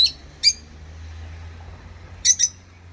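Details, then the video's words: Pair of rosy-faced lovebirds kept as pets, singing and chirping; sharp, piercing single chirps at the start, followed by a quick double chirp after a gap, over a faint low hum. "Love Bird Singing And Chirping Sound// Rosy Faced Love Bird"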